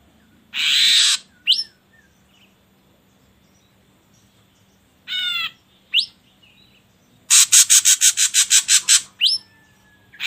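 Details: Ashy drongo singing in a lure track used to get birds singing quickly: a harsh hissing burst, a quick whistled upsweep, a nasal buzzy note and a second whistle, then a fast series of about ten rasping chatters.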